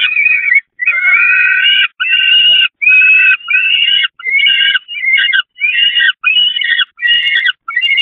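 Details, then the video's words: Peregrine falcon chicks begging during a feeding on the nest grating at the Catharinakerk, 11 May 2021: harsh, drawn-out screeching wails with a banded, buzzy tone, repeated in quick succession with brief gaps. "Slechtvalken Catharinakerk, Voedering op het rooster"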